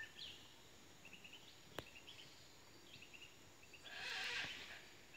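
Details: An Asian black hornbill (Anthracoceros malayanus) gives short, nasal cackling notes in quick clusters, ending in a louder, harsh, whinnying burst. One sharp click stands out against faint background noise.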